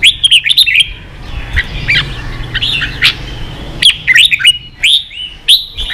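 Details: Competing caged red-whiskered bulbul delivers loud, clipped whistled bursts of three or four notes, separated by quieter gaps with softer warbling, repeated several times.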